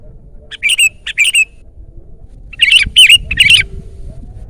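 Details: Sooty-headed bulbul song for luring and tutoring caged birds: two slurred notes, a pause, then a faster bubbly run of three loud liquid phrases, bright and close with slight background noise.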